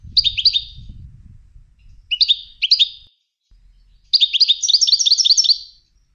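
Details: Goldfinch in training for song competitions: short clusters of two or three quick chirps, then a longer burst of rapid, layered twittering notes, with low rumbling noise early on.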